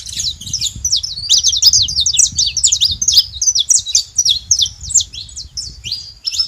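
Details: Saffron finches together, giving a dense, continuous stream of sharp, high chirps and short slurred notes, packed tightly over several seconds with no clear pauses; faint low rumble beneath.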